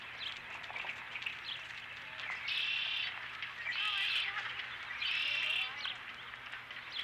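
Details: At the Dunrovin Ranch nest on an April 2017 evening, an osprey with a fish gives three bright, piercing whistled bursts, each about half a second long and spaced roughly a second and a half apart, over softer chirps and a faint hum.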